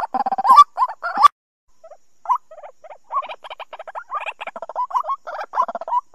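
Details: Trapping lure recording of white-breasted waterhen, 2020 season: rough, croaking notes in irregular bursts, a short silence after the first second, then quicker stuttering repeats.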